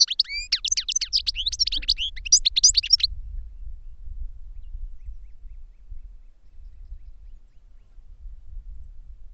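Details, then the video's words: European goldfinch caged for song training pours out a three-second burst of rapid, high tinkling twitters, then falls silent against steady low rumble. "Goldfinches Singing in CAGES for TRAINING"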